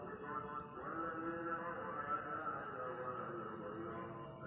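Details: Steady music with sustained harmonic instrumental tones and a faint voice indoors, no animal calls present.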